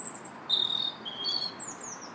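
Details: Robin singing in a park on March 2nd: high, thin whistled phrases, one sliding near the top of the range, then a lower sustained note and a few brief descending strokes, over faint steady background noise.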